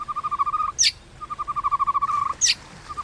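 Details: White-rumped shama fighting song in the 'kéo thuốc lào' style, used to provoke rivals: a rapid bubbling rattle of mid-pitched pulses, broken twice by a sharp falling high note, in a steady cycle.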